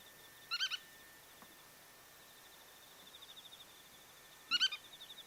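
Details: Migrating wild black-tailed godwit, recorded at Kawagoe and Yonaguni Island, Japan, utters two bursts of rapid, sharp triple notes about four seconds apart. A faint rhythmic pulsing trill and a level background hum continue throughout.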